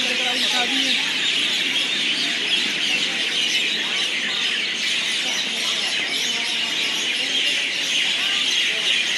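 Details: A dense, unbroken chatter of many mynas roosting for the night at Pathankot railway station, harsh squawks and shrill whistles overlapping, with a faint murmur of people underneath.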